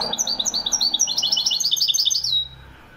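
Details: European goldfinch in Morocco, 2021, giving Wedani-style song: a rapid, rolling series of high, tinkling notes that thickens into a dense trill before stopping abruptly.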